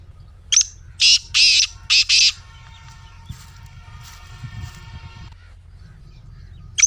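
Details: Black francolin, played to prompt a kept bird to call: a sharp high note, then three harsh rasping bursts in quick succession, with a faint tonal hum and low rumbles in the following seconds and another sharp note at the end.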